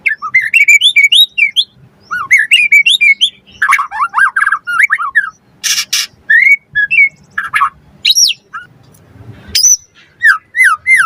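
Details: Energetic song of a white-rumped shama, used as a lure to provoke other birds and as a tutoring track: bouncing, looping whistled phrases repeated in runs, interrupted by a brief harsh noise burst, with a faint low hum throughout.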